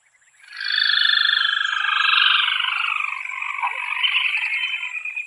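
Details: Crake of northern Venezuela's freshwater ponds and wet grass gives its long, loud, rapid descending trill, about five seconds, starting high and slowly dropping in pitch; no other sounds stand out.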